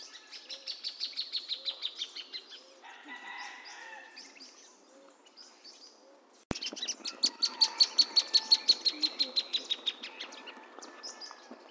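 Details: Plain thornbird singing long series of rapid, sharp repeated notes. A quieter stretch in the middle carries soft low whistles. The series resumes louder and faster after a sudden click.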